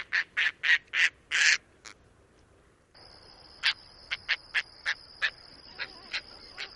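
Caspian tern giving five loud, harsh, raspy calls in quick succession, then a run of shorter, clipped calls over a steady high-pitched hiss.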